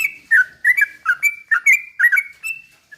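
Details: Sooty-headed bulbul in vigorous, slow-rolling song used as a lure to provoke other bulbuls into agitated singing: short bubbly whistled phrases around a steady pitch, about eight notes in quick succession with brief echoing tails.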